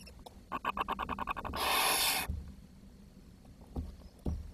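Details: Barn owl young at the nest in June 2023, with not enough food for all chicks. A quick series of clicks leads into a single harsh hiss of under a second, followed by a few soft knocks.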